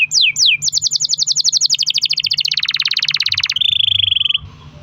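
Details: Singing canary used to prompt other canaries: two descending swoops lead into a long fast roll that steps lower into a dense buzzy trill, then a steady whistle before fading out.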